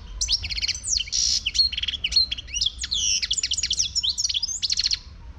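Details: Wild Moroccan European goldfinch singing: a dense, fast run of bright twittering and chattering notes with liquid slurred whistles, near-continuous for five seconds, with a low background hum.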